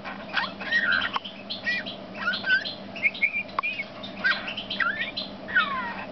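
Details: Male Eurasian bullfinch giving soft warbled whistles, some sliding down in pitch, broken by crackling creaky notes and a sharp click, over low continuous hum.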